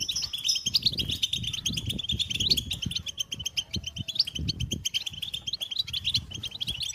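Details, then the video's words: European goldfinch twittering steadily in rapid high chirps and trills, accompanied by soft low thumps and rustling underneath. "Goldfinch motivating songs"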